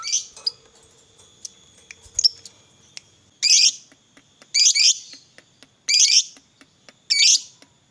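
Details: Lovebird of the fighter type, used as a lure sound to provoke other lovebirds into singing: scattered sharp ticks, then four loud harsh chirping bursts spaced about a second apart.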